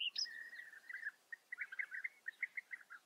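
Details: European bee-eaters at a breeding colony in the Eifel, Germany: a high opening note followed by a run of short rolling chirps, rapid and bunched, then spaced and repeated about every quarter second.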